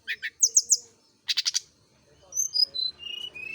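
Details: Kept brown-chested jungle flycatcher out in morning dew to encourage frequent singing; quick paired chirps, a burst of rapid high clicks, then a string of thin descending whistles.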